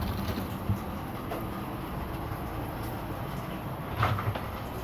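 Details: Steady low rumbling background noise with a few brief clicks near the start and end; no animal voices.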